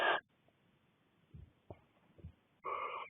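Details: Barn owlets, six young together in a Cornish nest box with their mother away: harsh breathy hisses at the start and end, soft low knocks and shuffles in between.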